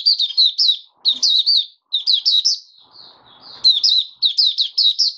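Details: High sweet song of a kept oriental white-eye, fifth day after monthly deworming, January 2022: clusters of three or four quick slurred chirps repeated with brief pauses, and a faint rustle in one gap.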